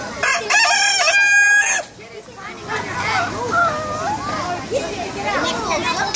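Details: At the Bronx Zoo, a rooster gives one loud, harsh crow of about a second and a half, then quieter children's chatter and bustle carry on behind.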